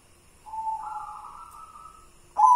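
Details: White zebra dove of local stock: one long, steady cooing note that steps slightly higher partway through and fades out. A louder coo starts abruptly just before the end.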